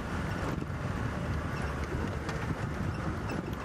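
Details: Steady rumble of wind buffeting the microphone, mixed with a low engine drone from a moving vehicle at sunrise, with no animal voices standing out.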